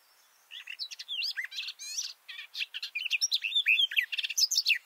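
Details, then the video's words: Garden warbler singing from low in a bush, recorded up close with microphones about two meters beneath the male bird: a fast, rich warble of varied tumbling notes and short trills, crowded together almost without pause over five seconds. "This garden warbler song (Silvia borin) sounds great!"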